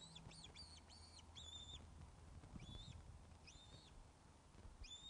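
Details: Ospreys on the Loch of the Lowes nest webcam, 21 August 2012, 16:35, at a fish delivery: a few quick high whistles, then slower, spaced single piping notes over a low hum.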